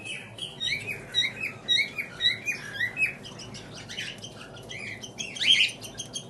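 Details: Home-bred cockatiel chicks begging while being fed by their parents: rapid, squeaky chirps, rising and falling in quick repeated bursts.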